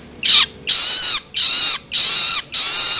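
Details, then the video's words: Young long-tailed shrike begging, played to stimulate adult birds: loud rasping screeches of about half a second each, arching downward at the end, given nearly twice per second. "Cara Jitu Untuk Merangsang Burung Cendet Dewasa Dengan Suara Loloan Anakan Cendet"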